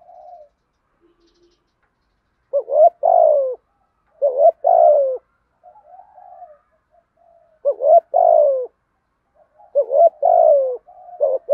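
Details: Field-voiced spotted dove cooing to encourage other doves to call, used in daily training: a soft opening murmur, a pause, then four loud deep phrases, each a rising note and a long falling coo, with quiet purrs between them.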